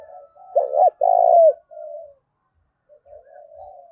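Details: Cooing spotted dove in the "thổ đồng" style, used to irritate and provoke wild birds to fight: one loud phrase of two short burred notes and a drawn-out coo, then quieter distant cooing.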